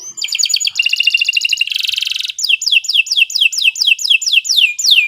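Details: Canary singing as a master recording for tutoring young birds; quick high trills and a dense buzzy roll give way to evenly spaced, sliding whistled notes repeated about twice a second.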